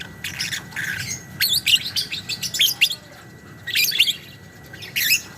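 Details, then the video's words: Lovebird 'ngekek panjang' chattering: shrill, buzzy bursts of rapid high notes in clustered runs, loudest in the middle and again near the fourth second, over a faint whine and low hum. "kicau burung lovebird biola ngekek panjang"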